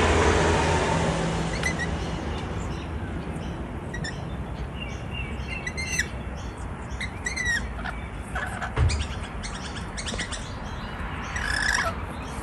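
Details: Wild rainbow lorikeets (Trichoglossus moluccanus), a visiting pair on a balcony in Melbourne, Australia, give short, shrill screeches and chirps in scattered bursts over a steady low rumble, like wind or distant traffic.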